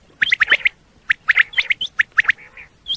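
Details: Common quail, whose calls are used for hunting quail in Pakistan, giving rapid clipped triple notes in short bursts, then scattered single notes and a couple of higher whistled calls.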